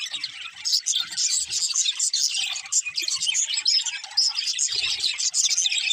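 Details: A group of budgerigars singing as they play, producing continuous high twittering and chirping in overlapping waves that swell and dip, with scattered low knocks from movement beneath the chatter.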